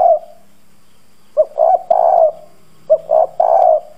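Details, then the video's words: Spotted dove kept as a lure for wild doves, calling in a rough, bronze-toned voice. A trailing coo is followed by two full phrases: a clipped note, then two longer low hoarse syllables. "Cu gáy mồi Cứng Gù giọng đồng khàn kích bổi nhanh nổi. Chim cu gáy thúc gù gáy gọi kích bổi"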